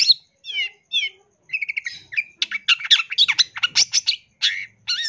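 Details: Long-tailed shrike tutoring song full of rapid-fire phrases. It opens with a few spaced, rising whistled notes, then breaks into a dense run of harsh chattering and scratchy notes, and closes with a slurred whistle.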